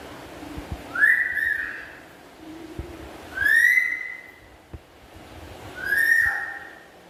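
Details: Black-capped lory, a kept pet bird chattering with a melodious, loud voice: three clear whistled notes that sweep upward and then hold level, spaced about two and a half seconds apart, over a quiet room with faint background clicks.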